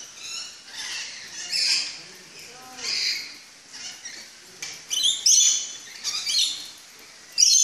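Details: Rainbow lorikeets in an aviary at a park in the Netherlands, calling at feeding time after hearing the metal food trays. They give shrill, harsh screeches and chattering squeals in irregular bursts, several birds calling over one another, with faint voices.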